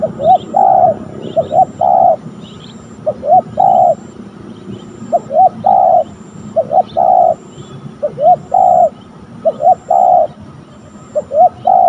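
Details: Spotted dove at a ground session training a young decoy, where a fierce wild bird turned up; about eight cooing phrases, each two quick upslurred notes and a drawn-out coo, repeated every second or two, small birds chirping faintly behind.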